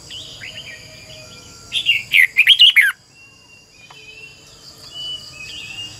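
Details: Red-whiskered bulbul decoy singing in the morning to train other birds, a double twisting voice: one loud phrase of about five rich warbled notes, with soft whistles from other birds and a steady high background hiss.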